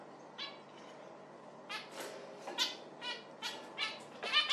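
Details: Zebra finch giving a run of brief, nasal, trumpet-like notes, spaced unevenly and growing louder and more frequent toward the end, over a soft background hiss.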